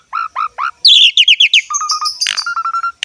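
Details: Javan pied starling, jalak suren, in ngerek song: three hooked notes, a quick run of high doubled chirps, then a flat whistle series and evenly repeated short whistled notes, ending on a harsh burst.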